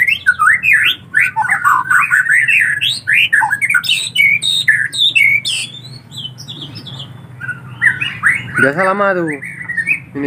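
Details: Nestling collared kingfishers give rapid, repeated squeaky calls, about four a second, each note rising and then falling. A harsher, rasping squawk breaks in near the end.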